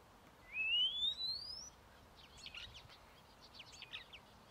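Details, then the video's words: A common starling at Hauptmanca, Ljubljansko barje, on 21 April 2023, gives a long, clear whistle rising steeply, then a run of scratchy clicks and chatter, faint against a quiet background. "Sturnus vulgaris ŠKOREC"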